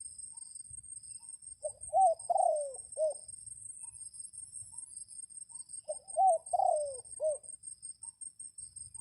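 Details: Red junglefowl crowing to call wild birds in rainy weather. Two crows about four seconds apart, each a stuttering series of short notes, a longer falling slur and a clipped final note, over a continuous shrill insect hum.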